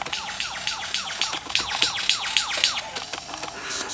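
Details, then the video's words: Male superb lyrebird, to lure females close to admire his plumes, pours out a rapid run of loud, ringing, downward-swept whistles and squeals in complex mimicry; he also imitates a camera shutter and motor drive. "Lyrebird Mimic sounds"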